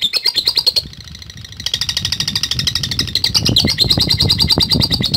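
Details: Lovebird answering a lure recording with its ngetik call: rapid, high, dry chirps repeated in a steady stream, some low thumping noise beneath.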